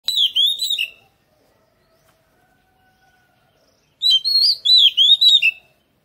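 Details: Oriental magpie-robin singing in a garden: a burst of clear, rich whistled notes, then about three seconds of silence before a second, longer phrase of fluting, warbled whistles.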